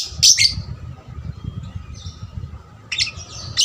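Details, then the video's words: Young lovebird kept as a trainer bird to spur other lovebirds into more frequent song; two bursts of high, shrill, scratchy chirps open and close the recording, with a low indoor hum between them. "pancingan lovebird paud rajin bunyi... merangsang lovebird lain lebih gacor"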